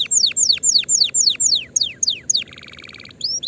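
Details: Canary singing, used to train fledglings early for the coming season: a series of loud downward-slurred whistles about four per second, then a dense buzzy tour, ending on a rising whistle.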